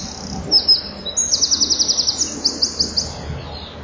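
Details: A Common kingfisher at the nest on 12 July 2013 around 14:01, where a young bird brings up a large pellet, gives very high, shrill piping notes, first single notes, then fast runs of about eight per second, over a faint rumble.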